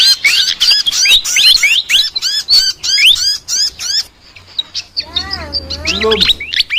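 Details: Chattering song of a flycatcher (sikatan): four seconds of quick, loud, sharply rising high chirps, a brief quiet gap, then softer lower swooping, wavering notes over a low hum.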